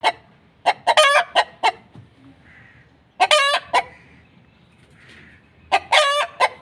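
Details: Hen laying an egg cackles in three bursts, each a few sharp clucks leading into a loud, drawn-out, nasal cry, with quiet pauses between them.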